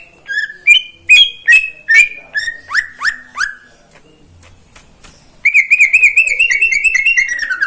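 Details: Morning song of a caged greater green leafbird: a series of stepped, slurred whistles falling in pitch, a short pause, then a long rapid trill of warbling notes.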